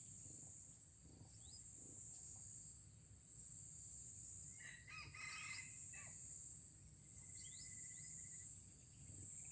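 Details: Red junglefowl from Aceh crowing in a first decoy lure trial. A single brief harsh crow rises about halfway through, with a loud pulsing insect chorus throughout and scattered faint bird chirps.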